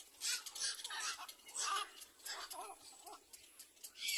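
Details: A little black cormorant chick begs from its mother while being fed, with harsh, hissy squeals and wheezy cries in rapid bursts, about two each second, some with a thin rising whine.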